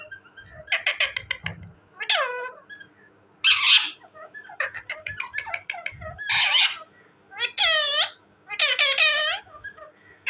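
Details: Talking parrot producing rapid clicking chatter, harsh noisy screeches and several harmonic, downward-bending squawks in irregular bursts, indoors.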